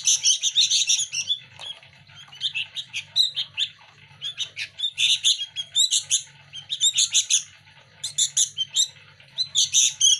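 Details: Young sooty-headed bulbul chicks, local birds, competing for hand feeding: bursts of shrill, high, harsh begging chirps in rapid clusters, repeated every second or so, over a low hum.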